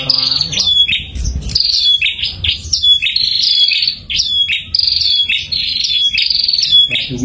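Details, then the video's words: A pair of bar-winged prinias calling busily: sharp, high chirps and trilled notes repeated in quick bursts, with a few louder clicks and faint low background noise. "burung prenjak sepasang nggacor"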